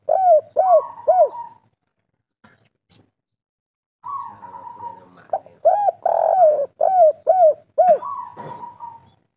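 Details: Spotted dove, local bird with kuk 3 song: three quick bowed coos and a drawn note, a silent gap, then another drawn note followed by a strong series of arched coos and a final long note.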